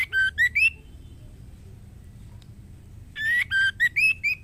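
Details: Female white-rumped shama calling a male to mate: two bursts of short clear whistled notes, rising and falling, separated by about two and a half seconds of quiet.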